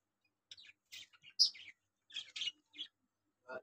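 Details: Lovebird calling: a string of high, scratchy chirps and short squeaky notes in irregular bursts, with brief pauses between them.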